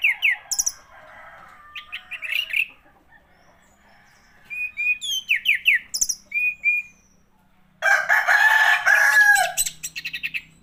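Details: Orange-headed thrush singing: short bursts of varied, rising and falling whistled notes, then a dense, harsh, scratchy run of notes near the end, with quiet gaps between the phrases.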